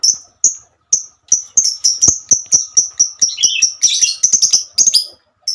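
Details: A female lovebird sings its long chattering 'ngekek' song to call companions. Spaced shrill chirps speed up into a continuous rapid trill of piercing high notes, mixed with a few lower buzzy sounds near the middle.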